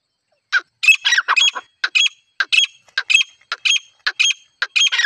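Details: Female grey francolin calling for use in hunting: harsh, squawky notes in quick, uneven bursts, about two per second, with a background otherwise quiet.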